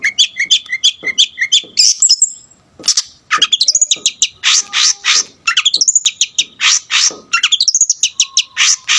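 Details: Long-tailed shrike, a lively, full-repertoire singer meant to rouse other shrikes, pours out fast varied high chirps, rising whistled sweeps and harsh buzzy bursts in quick succession, with little background noise.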